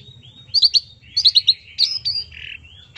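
Long-tailed shrike giving a varied song of sharp, high chips in quick pairs and triplets, mixed with thin whistles and a short harsh buzz.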